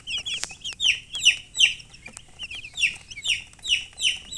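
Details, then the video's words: Domestic chicken chicks chirping: high, bright peeps falling slightly in pitch, repeated quickly at about two to three per second in an uneven, continuous stream, with a few sharp clicks or taps between them and a quiet background. "Baby "Chicks Chirping" Sound"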